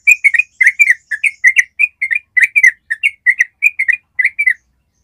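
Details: Yellow-vented bulbul delivering its ropel trill for training other birds: loud, rapid string of ringing whistled chirps for about four and a half seconds, then silence.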